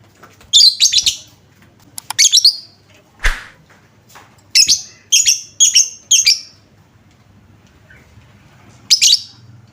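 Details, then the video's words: Lovebird lure sound meant to trigger other lovebirds' calling. Doubled shrill chirp bursts, one dull thump, then a quick run of four bright chirps, and a last chirp burst after a quiet gap. "Apapun jenis Lovebird mu, pasti langsung nyaut seketika dengar suara pancingan ini"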